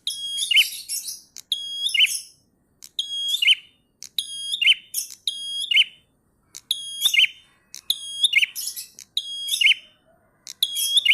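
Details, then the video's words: Prinia in energetic ngalun song: about eight sharp, high phrases, each a level whistled note then a buzzy downward flick, repeated steadily every second and a half over a quiet background. "Prenjak Gacor Ngalun Syahdu"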